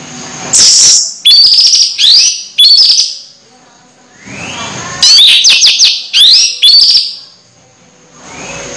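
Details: Orange-headed thrush singing vigorously despite approaching moult, loud chattering whistled phrases with rapid clicks and sweeps, two clusters of several bursts separated by a quieter spell.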